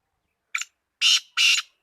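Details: Kala teetar, a black francolin, gives a short clipped note and then two loud rasping, buzzy notes about a third of a second apart, in a brief harsh phrase against silence.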